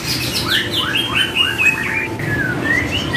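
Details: White-rumped shama song used as a training track to prompt caged birds to answer: varied clear whistled notes, upswept and downslurred phrases around the upper-middle range, delivered in quick succession over a low steady hum.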